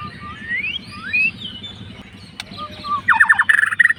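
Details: White-rumped shama fighter singing to rouse a rival: rising and falling whistled sweeps, then a fast, harsh chattering series of repeated notes.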